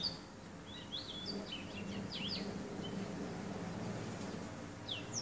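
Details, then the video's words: A male black-throated canary, trained with a goldfinch as tutor, sings a quick, varied song of sweet warbled notes and slurred whistles in short bursting phrases, over a steady low murmur of background noise. "Black throated canary singing"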